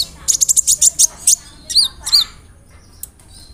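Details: Provoking song of a sunbird (kolibri ninja), rolling 'nembak' style with imitations: a quick string of high sharp notes, then two looping rising-falling whistles and one final high tick.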